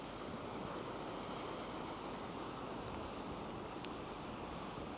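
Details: Coastal walk along the Isle of Wight Undercliff, with steady broadband surf and wind rumble filling the recording and no animal voices heard.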